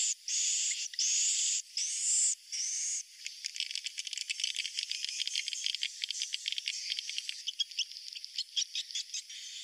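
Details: Swiftlet roosting call played to attract swiftlets: three long buzzy, hissing high chirps, then a fast irregular rattle of dry clicking ticks that continues to the end.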